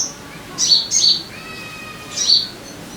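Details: Sogon lure calls to get caged birds singing: three loud, high, sharp chirps in a short sequence, the first two close together, the last after a brief gap.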